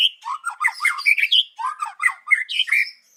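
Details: Morning song of a white-rumped shama (murai batu), a lure recording meant to set other birds singing along; a dense, unbroken run of harsh, squawky, chattering notes, briefly pausing midway before resuming.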